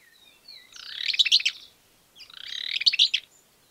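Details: A greater wagtail-tyrant in Argentina gives two bright, scratchy bursts of rapid, high chattering notes, each about a second long. Faint thin whistles come before the first burst.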